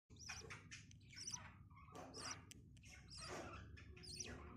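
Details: A budgie chick in a breeding cage gives rapid, raspy begging chirps, about one burst a second, while its mother feeds it, over a low background hum.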